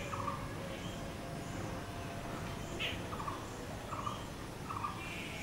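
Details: Blue-throated barbet (bosonto bouri) giving a few throaty, rattling notes spaced roughly a second apart. Faint higher bird chirps and constant low-frequency background noise are also present.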